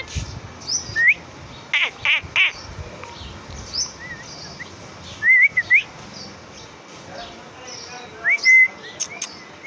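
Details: A pet parrot making short whistled chirps and upslurred whistles scattered through quiet, with a few louder clicks and a human voice asking something at the start.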